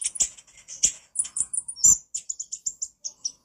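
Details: Brown-throated sunbird (konin) chattering, recorded as a master for training birds: a burst of high scratchy chirps followed by evenly spaced thin tsip notes, about six per second, clean background.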